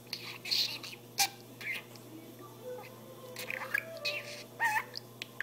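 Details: Talking budgerigar, a pet bird indoors, giving scratchy, speech-like chatter mixed with short chirps and squawky notes in irregular bursts, a faint mains hum running underneath.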